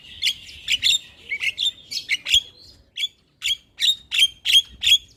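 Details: Starling song played to prompt silent caged starlings to start singing: a fast run of harsh, buzzy chirps, roughly three per second, fairly irregular, with short gaps and no other sounds.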